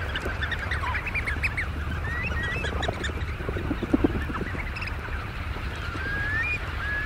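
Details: Oystercatchers calling at their roost in early morning before flight: many overlapping high piping whistles, some slurred upward, scattered through the clip over steady low rushing background noise.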